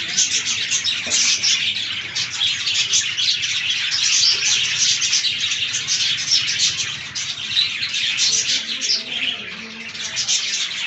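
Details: Several budgies feeding on fresh green leaves, keeping up a dense, steady stream of high, scratchy chirps and warbles from many birds at once.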